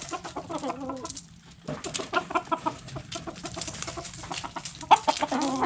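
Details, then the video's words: Backyard chickens feeding on food scraps: short harmonic clucks in quick bursts at the start, again near the middle and at the end, with pecking and scratching noises between calls. "Hens Clucking Roosters Crowing"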